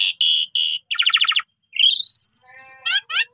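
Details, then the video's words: Trapping lure song of a Javan pied starling: harsh buzzy notes, a rapid rattling trill, then a long rising whistle that levels off, followed by short chattering notes. "Pancingan Jitu Jalak Suren full Gacor Mompa Istimewa"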